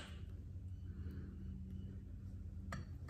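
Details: Quiet indoor hum with a low steady drone and a couple of soft clicks near the end, and no animal sounds.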